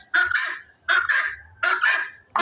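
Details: Free-ranging helmeted guineafowl walking and foraging around a Bangladeshi village home gives loud, harsh, grating two-part calls, repeated about every three-quarters of a second.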